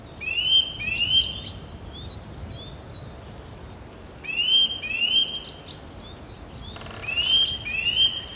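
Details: Eurasian nuthatch (Sitta europaea) at nest-building time giving loud, clear rising whistles in short paired bursts, repeated every few seconds over faint background hiss.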